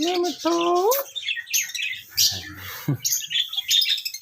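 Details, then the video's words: Pet parrot calling: a clear tonal note, then a second harmonic note that holds and sweeps upward at the end, followed by scattered short high chirps and squawks. "My Raw Parrot Calling Voice | Funny Parrot Talking"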